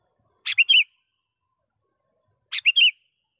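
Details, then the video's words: Kutilang, the sooty-headed bulbul, calling a rival to lure wild birds: two bursts of quick bright chirping notes, each a sharp note then a slurred pair, two seconds apart. "suara BURUNG KUTILANG gacor memanggil lawan"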